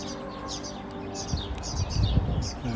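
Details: A European serin chick in a town park during breeding season begs its parents for food with thin, high, slightly falling chirps, two or three a second, near fledging, over a low rumble and a man speaking.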